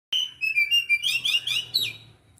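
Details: Oriental magpie-robin of the Aceh type, recorded on 24 December 2022, gives a loud, clear song. A long, level whistled note opens it, followed by a rapid run of bright, sweet warbled phrases that rise and fall before the song fades out.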